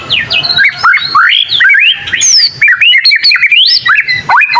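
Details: Young white-rumped shama learning its song, said to make other shamas answer: loud, varied whistled phrases sweeping up and down, with sharp rising slurs and quick chirps in rapid succession.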